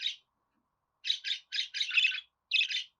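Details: Budgerigar chatter meant to set a pet budgie singing: a short chirp, a pause, then a run of harsh buzzy warbled notes in close succession.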